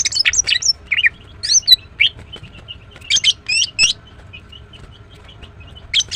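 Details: Female green cucak, the greater green leafbird, chirping in the morning with lively, uneven high twitters. Rapid clusters of sharp and buzzy notes are broken by short pauses, and a final chirp ends the run.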